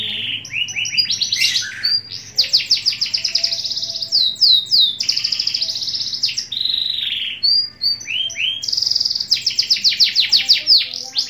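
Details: Canary from Pemalang, Central Java, Indonesia, singing a loud, continuous song of high rolling trills, rapid repeated chips and sweeping whistled notes, with a faint low hum underneath.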